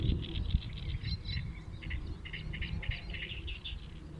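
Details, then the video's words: Birds singing together on 23 May 2022, a steady stream of quick, high, chirping notes and short twittered phrases from more than one singer, over a constant low rumbling background noise. "Rozmowy ptaków"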